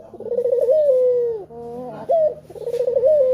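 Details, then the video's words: Male collared dove giving its lure call, meant to coax other doves into calling: low, rolling, trembling coos with a slight rise, then a long steady hum. The phrase repeats twice within about three seconds, in a quiet indoor setting. "Puter Jantan Yang Gacor Suara Pancingan nya Sanggat Menggoda"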